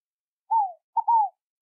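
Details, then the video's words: Scaled dove (rolinha-fogo-apagou) giving a soft, low cooing phrase: a falling slurred note, a brief pause, then a short clipped note running into another falling coo. "O MARAVILHOSO CANTO DA ROLINHA FOGO PAGOU"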